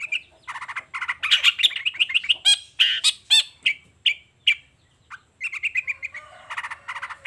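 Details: Morning song of a long-tailed shrike: dense mix of harsh chatter, ringing harmonic notes and short whistles, with a brief pause midway before a run of rapid repeated notes.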